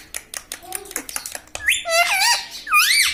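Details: Talking pet parrot indoors, saying words such as "mitthu" and "mummy": a run of sharp taps, then a drawn-out warbling phrase and a final swooping, speech-like syllable.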